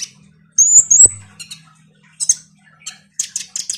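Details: Konin sunbird in active song, meant to provoke a quiet kolibri ninja into singing: two thin high whistled notes, then spaced bursts of sharp, scratchy chirps.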